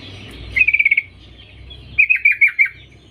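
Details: Female sooty-headed bulbul calling to males, used as a lure recording; two quick stuttering bursts of bright chattering notes, about six then five in rapid succession, over a faint low hum.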